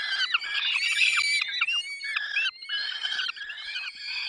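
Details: Peregrine falcon, Barycz Valley, 10:22 on 20 May 2021, during feeding: dense, harsh chattering squawks, rapidly repeated and overlapping, with thin whistled tones through the noise.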